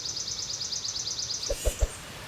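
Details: Tufted Titmouse (Baeolophus bicolor) alarm call in spring at Norrie Point Environmental Center on the Hudson River estuary: a fast run of thin, high notes, about ten a second, then three low knocks over faint background noise.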